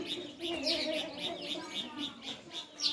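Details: Steady, loud sparrow chirping: even series of bright chirps about four per second from several birds, with softer warbling underneath and a louder chirp at the close.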